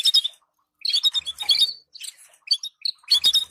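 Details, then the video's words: Canary song meant to rouse breeding pairs: scattered bursts of sharp twittering, with one short sliding whistle in the middle, broken by clear silent gaps. "تجهيز طيور الكناري بتبتات محفزة للطيور دعم ازواج كناري"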